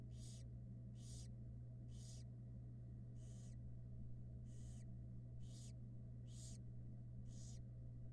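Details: At a barn owl nest in Florida, 2022, a female is briefly off her six brooded young. Eight rasping hiss-bursts sound in about eight seconds, evenly spaced and slightly rising in strength, over a steady low hum.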